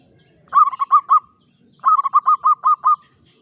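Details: Clear-voiced local Javanese zebra dove singing klowongan-style in a classic Mataraman cage: two short bursts of rapid, rounded coos, about five notes and then seven, separated by a brief pause.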